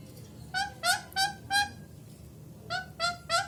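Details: Angry baby parrot, hand-raised, giving loud harsh squawks in two bursts, three and then three again, each note a rich, grating cry with a slight pause between, over a quiet indoor hum.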